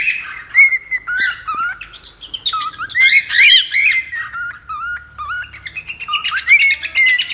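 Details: Cockatiel whistles and chirps, offered to tame a cockatiel: clear short whistles sliding up and down, mixed with quick chirps and a noisier chattering burst midway, ending with bright rising whistles.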